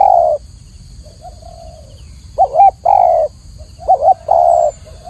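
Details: Spotted dove (tekukur), clear-voiced: the tail of a long coo, a soft low murmur, then two phrases of a quick warbled note and a held mellow coo; faint steady hum throughout.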